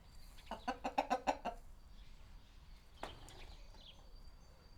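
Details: Chicken clucking inside a small village coop, captured on a Sony PCM-D100 with a Sennheiser ME66: a rapid burst of about seven sharp clucks over one second, then quiet coop ambience with a single dull knock.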